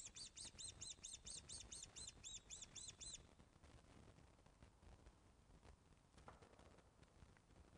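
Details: Osprey at a Loch of the Lowes nest, filmed by webcam on 24 August 2012 at 14.10 during a fish delivery: about a dozen high, arched whistled notes in a rapid run over three seconds, then quiet background hiss.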